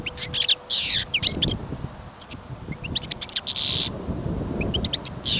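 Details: Caged European goldfinch kept for listening, singing outdoors during a trapping trip in sudden snow and wind: bright twittering notes mixed with harsh buzzy bursts and brief trills, over low wind rumble.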